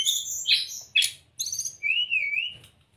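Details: Caged-bird training song of a brown-chested jungle flycatcher: dense high twittering and sharp upward sweeps, followed by a smooth wavering whistle that trails off.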